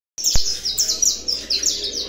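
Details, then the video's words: Saffron finch returning to singing: a quick series of bright, high chirped notes, each a sharp downward sweep, repeated about every quarter second, opening with a single click. "canário da terra CT surpresa voltando a cantar"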